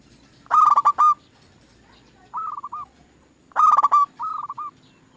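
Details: Zebra dove lure song for prompting other doves to sing: two loud, rough, stuttering bursts, each followed by a softer trill of quick coos, about three seconds apart.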